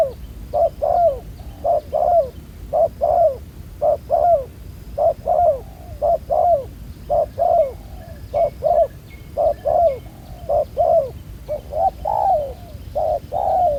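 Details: Black-collared wild spotted dove caught using a ground decoy, described as a fairly good cooer: long run of soft low coos in steady pairs, short then falling, continuing evenly over quiet low-frequency noise.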